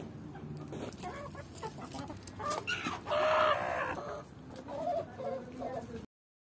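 A Swedish Flower rooster gives a loud, harmonic, drawn-out call midway, followed by a softer clucking note, over faint farmyard background noise.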